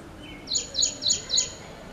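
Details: Ashy prinia (Ashy Wren-Warbler) singing a repetitive run of four bright, high tchup notes, evenly spaced roughly every quarter second, over a soft steady background.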